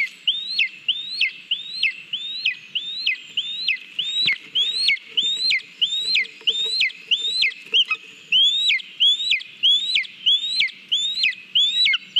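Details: At a Latvian nest on 18 July 2022, a lesser spotted eagle feeds on a mole, recorded by a live cam. It gives a continuous series of shrill upslurred whistles, each ending in a quick downward flick, roughly 95 per minute, with a brief rustle midway.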